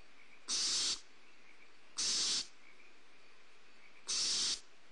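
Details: Barn owl owlets at a prey drop, Starr Ranch, 2 April 2011, filmed on a nest camera: three harsh, hissing screeches, each about half a second long, spaced roughly two seconds apart, with quiet between.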